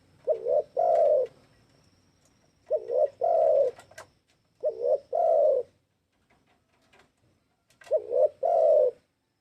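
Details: Spotted dove call played as a trapping lure: repeated low coo phrases, a quick wavering double note then a long steady coo, four phrases with pauses between, faint soft background noise.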